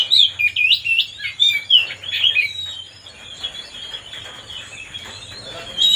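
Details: White-rumped shama song played to provoke another bird into singing, a burst of varied high whistled and chattering phrases in the first seconds, fading to softer notes with faint low hum behind.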